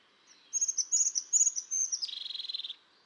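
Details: Crested tit giving a call of high, thin, slightly wavering notes that break into a fast, even purring trill lasting about seven tenths of a second, clear against a quiet background.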